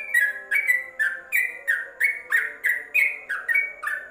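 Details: Yellow-vented bulbul tutor song for covered caged birds: a steady stream of loud, liquid whistled notes, about three per second, each falling slightly, in a chattering, bubbly rhythm.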